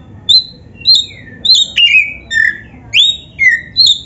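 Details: Oriental magpie-robin, black-chested form, singing: a steady run of bright whistled notes, some flat, some swooping down, others rising sharply, roughly two per second over faint low hum.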